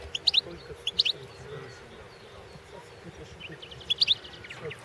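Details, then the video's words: Goldfinch entered in the 2016 world championship of goldfinch song gives crisp high twittering phrases, two close together at the start and a longer trilled run near the end, separated by quiet low hum. "World championship in Goldfinch Song 2016"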